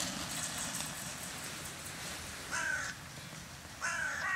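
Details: Carrion crow from a flock fed on a regular bird-feeding round in January 2021; two loud, hoarse caws about 1.3 seconds apart, the second slightly longer, over continuous low traffic-like hum.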